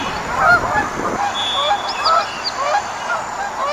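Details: A flock of wild geese giving loud nasal one-syllable honks, several birds overlapping, with a few higher whistled notes among the clamour.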